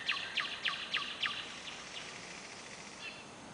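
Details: Nightingale heard at night in July inside Novosibirsk city, Russia, recorded on a camera: five quick, evenly spaced downward-sweeping whistles fading into softer echoes, set against steady hiss.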